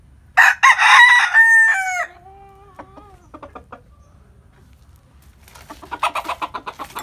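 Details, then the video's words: Chicken crowing in the morning in the countryside: one loud, harsh, harmonic-rich crow of about one and a half seconds, falling into a thinner drawn-out tail, followed by a run of quick clucking notes near the end. "Tiếng Gà Gáy Buổi Sáng Ở Vùng Quê | The sound of chicken crowing in the morning in my hometown"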